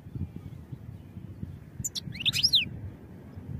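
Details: A single short phrase of European goldfinch song for training: bright, high twittering notes with swooping down-slurred chirps over a faint low rumble.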